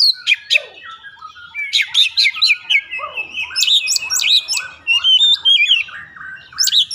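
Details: Oriental magpie-robin song used as a lure to make the bird sing at once: a loud, varied run of sharp whistles, chirps and rising and falling slurred notes packed closely together, with no other sounds.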